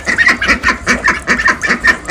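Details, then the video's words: Domestic ducks calling from the back of the yard, kept with hens and waiting to be fed on their last day before being given away; rapid rhythmic quacks repeated about four times a second, loud and close. "నెక్స్ట్ ఇప్పుడేమో ఇంకా బాతులు కోళ్ళు అరుస్తున్నాయి బ్యాక్ సైడ్ వాటికి కూడా ఫుడ్ పెట్టడానికి వెళ్దాము"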